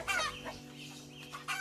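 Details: Chicken giving two short, harsh clucks about 1.4 seconds apart over a steady soft piano.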